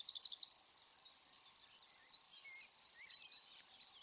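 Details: Common grasshopper warbler reeling in the Amsterdam Waterleidingduinen dunes early on a humid King's Day morning: a high, dry, unbroken mechanical trill, insect-like and steady, with brief chirps from other birds beneath.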